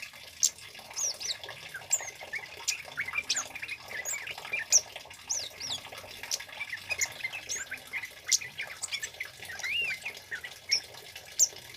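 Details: Vigorous song of a male Scarlet-headed Flowerpecker, recorded as a lure and training master: long unbroken chatter of high sharp ticks and short curling whistles, with bright accents every few seconds and steady faint hiss.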